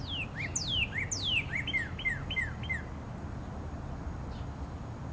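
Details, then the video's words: Northern Cardinal, a red male, recorded 22 Feb 2013, sings two long, clear downslurred whistles, then a quick series of five short, sharply slurred notes, over a low background rumble. "Red Cardinal singing his little heart out"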